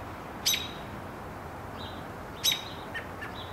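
An American robin gives sharp, high alarm notes, one about every two seconds, with fainter chirps between them over a steady hiss of background noise.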